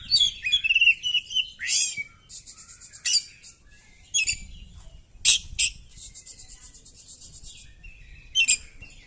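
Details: Oriental magpie-robin singing while fighting with its tail spread: varied loud phrases of sharp chirps, rising sweeps and rapid buzzy trills at high pitch, separated by short pauses, with faint low background noise.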